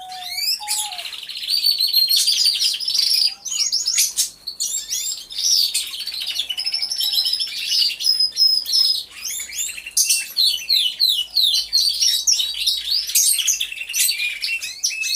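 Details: Chorus of caged canaries in an aviary, all singing. Tumbling high warbles, fast rattles and sharp rising whistles pile up densely, pulsing in loudness, with a few low hooting notes at the very start.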